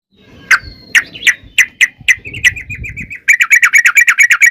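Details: Yellow-vented bulbul (trucukan) in lively 'ngalas ropel panjang' song used as a lure for kept birds: a few loud separate chirps, then a thin wavering run, ending in a fast, evenly spaced series of sharp notes, with faint low rumble.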